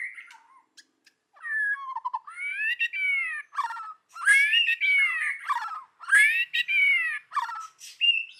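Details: Loud, continuous forest-style song from a white-rumped shama, rich slurred whistles and harsh rasping notes in long run-on phrases with brief breaks.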